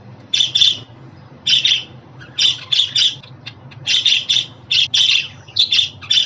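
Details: Budgerigar chatter played for pet budgies, suited to young or newly arrived birds: dense runs of sharp, squawky warbled chirps in quick bursts, almost continuous with short gaps.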